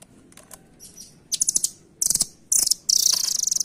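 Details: Velvet-fronted nuthatch (rambatan) delivering escalating high chattering trills, short bursts building into a long rapid pulsed rattle.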